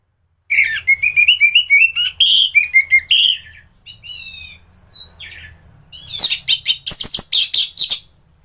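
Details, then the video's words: Training-model thrush sings a steady series of rich, rising whistled notes repeated in quick succession, followed by fainter thin warbles, then a loud flurry of sharp high chips near the end. "Burung anis gacoran || masteran untuk burung anis"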